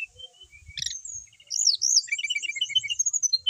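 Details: Brown-chested jungle flycatcher from Bali, a well-settled kept bird in full song: soft whistles, a sharp note, then high sweeping whistles running into a quick twittering series of short notes.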